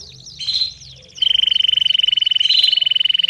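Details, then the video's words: Domestic canary singing, offered as training song for young birds; a few short chirps and sweeping notes, then a long, even, rapidly pulsed trill held for about two seconds. "CANÁRIO DO REINO CANTANDO E CHAMANDO ÓTIMO TREINO PARA FILHOTES!!!"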